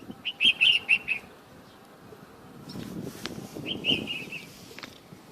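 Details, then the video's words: Bulbul singing in the open outside its cage in the morning: two bursts of short, rapid, bubbly warbled notes, the first about a second long, the second shorter, with soft rustling and faint background noise between them. "تغريد طائر البلبل بالطبيعة"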